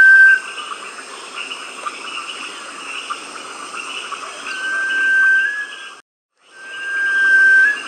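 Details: Sunbittern in Tambopata, Peru, giving long, thin, pure whistles, each held about a second and rising slightly at the end, over a steady buzzing chorus of insects and frogs.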